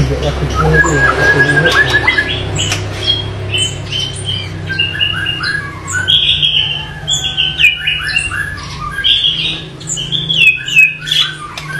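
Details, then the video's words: White-rumped shama song, a dense jumble of short whistled notes and chips at mid to high pitch, varied and continuous, over steady low background hum. "MURAI BATU Full Tembakan Variasi Kasar Mewah"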